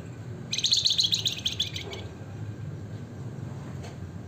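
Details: Javan fulvetta, called wergan jawa, singing in lively flamboyan style: a single rapid trill of high chirping notes lasting about one and a half seconds, over low background hum.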